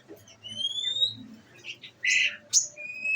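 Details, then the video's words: Olive-backed sunbird in a cage, kept on nectar, giving thin level whistles mixed with short harsh buzzy bursts and a sharp upslurred note, in a quiet setting. "bunyi nembak nembak"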